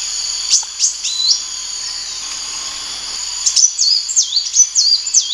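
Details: A few scattered high notes from a sunbird, then a brisk sequence of thin, dipping and rising whistles in the last two seconds, over a constant insect-like whine.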